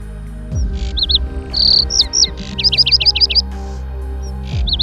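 A lark sings a lively run of high, varied chirps and slurred whistles, including a quick burst of six repeated notes, over soft background music.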